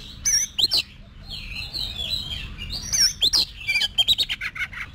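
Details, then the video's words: Oriental magpie-robin being trained to sing for competitions: rich, varied whistled phrases between 2 and 6k, sharp chirps and upward sweeps, soft warbling around two seconds, then rapid clicking notes toward the end, with faint low hum beneath. "Luyện Giọng Cho Chòe Than Hót Đấu"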